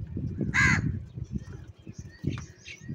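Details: A single harsh caw from a crow competing for food, followed by faint distant cawing against a low, fluttering background rumble.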